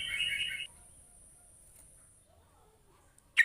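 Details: Sooty-headed bulbul call used to lure lazy bulbuls into answering: a brief, bright chattering call, then a thin high whine lingers before a second short burst.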